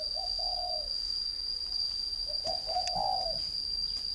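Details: Caged northern Vietnamese spotted dove, a three-year decoy bird, giving two soft, low cooing phrases, each a short note run into a longer warbling coo; a steady high whine runs throughout.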